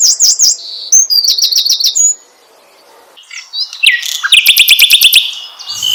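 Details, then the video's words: Song of an Asian brown flycatcher meant to draw other birds into singing: high zigzag and trilled phrases, then a near-silent pause, then a lower, fast stuttering trill of repeated notes. "SUARA BURUNG SIKATAN LONDO ,MEMANCING SEMUA BURUNG GACOR"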